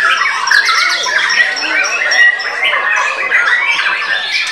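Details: Caged white-rumped shama singing right after its cover is pulled off: a dense, fast stream of varied whistles, chirps and squawky phrases, continuous for the whole stretch, with overlapping notes that suggest other birds nearby.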